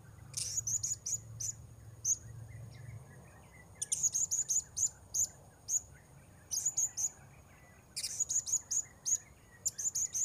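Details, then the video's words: Repeated bursts of thin, shrill high chirps, each run of five or six notes, from a blue-crowned hanging parrot during an attempt to lure wild birds; steady low hum underneath. "Memikat Serindit"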